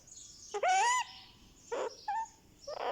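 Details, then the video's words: Baby Indian ringneck parakeet, one month old, making sweet sounds as its head is massaged: a loud rising nasal squawk, then shorter raspy notes and a grating call, close and clear. "Rex the Ringneck baby gets a Head Massage | Candy makes sweet sounds"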